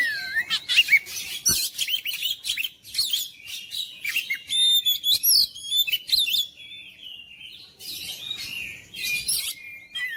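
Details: Oriental magpie-robin song, meant to goad silent, lazy magpie-robins into persistent singing: a dense run of bright whistles, sharp chirps and buzzy trills, some notes sliding up and down, delivered in quick bursts with brief pauses.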